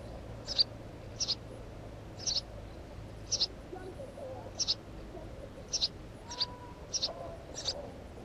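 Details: Regular series of clipped, high-pitched chirps from a house sparrow, about one every second, some notes paired, over quiet background hiss and low hum.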